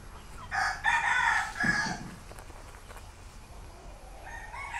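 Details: Red junglefowl kept by a breeder, young hens dust-bathing in soil nearby; one loud crow of several harsh, harmonic-rich segments lasting about a second and a half, with a fainter second call near the end over a low steady hum.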